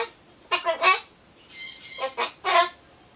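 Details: A pet Ducorps's cockatoo (Solomons corella) chatters to itself while waiting for pumpkin, in short, raspy, voice-like bursts seemingly meaning "bye-bye, I'm off, see you," four or five quick phrases with a brief whistled note between them.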